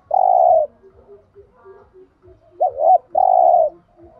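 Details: Thúc gù cooing of a spotted dove, meant to rouse other doves. A long low coo opens, then after quiet murmurs a bouncing double hoot and another long coo follow. Faint ticking behind.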